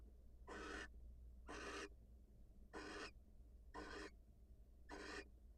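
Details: A wild barn owl female leaves her nest to greet her mate; five quieter, raspy hisses come roughly every second, each brief, over a soft low background hum.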